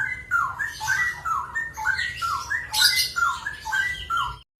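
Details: Straw-headed bulbul (cucak rowo) singing ropel against a samyong: repeated bubbly two-note whistles, dipping then lifting, over a hissy, noisy background with low hum, ending abruptly.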